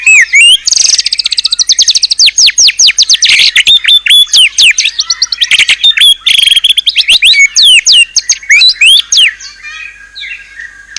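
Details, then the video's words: White-rumped shama (murai batu) singing a rich 'isian' fill song described as fierce-sounding: fast bursts of high, sharp whistled notes and rapid trills, densely packed, fading to softer scratchy notes near the end. "ISIAN MEWAH MURAI BATU_PALING TOP SUARA SANGAR"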